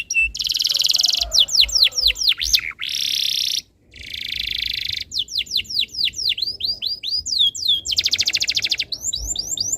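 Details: Canary tutor song to get other canaries singing: buzzy sustained trills alternate with bursts of sharp descending whistled sweeps, lively and varied throughout.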